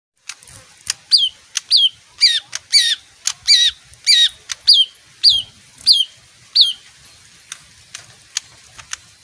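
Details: Leafbird, a bird that sings when it hears music, giving a run of sharp, downslurred whistled notes about every half second, each preceded by dry clicks, in a quiet setting.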